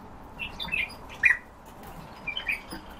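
Soft, low piping whistles from a Eurasian bullfinch, about five short notes in small clusters over three seconds, against a quiet hiss.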